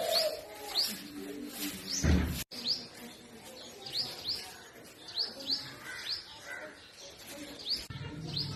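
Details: Purple sunbird chirping and singing in spring forest trees, north-west Pakistan. Its thin rising chirps repeat about twice a second. A brief loud thump near the middle breaks the faint rustling background.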